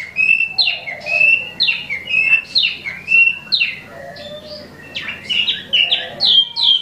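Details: Wambi mini, an imported cage bird also known as Tieu Mi, singing hard: loud, rising-then-falling whistles in rapid, uneven bursts, roughly one phrase a second, over a soft low hum.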